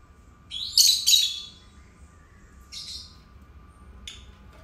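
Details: Pet lovebirds, two birds kept indoors, give a loud harsh double screech, then a softer rasping note and a final thin click-like chirp.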